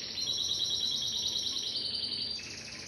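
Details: Timbrado canary producing a sustained rapid high trill that slides slightly before dropping into a softer lower roll.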